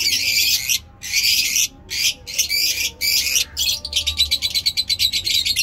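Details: In pleasant Peshawar weather, lovebirds give long grating screeches in separate bursts, then switch to a fast, regular stutter of short chirps.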